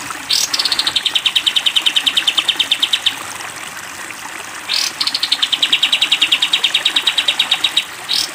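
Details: Training song for caged sooty-headed bulbuls in the long 'tembak panjang' style: two extended runs of rapid, evenly spaced, high staccato notes, each opened by a short rushing swish, over a steady hiss.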